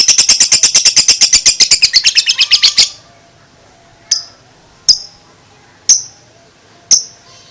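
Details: Young lovebird, two months old, delivering ngekek chatter: a rapid run of high, harsh repeated notes for about three seconds, then four isolated sharp chirps spaced about a second apart.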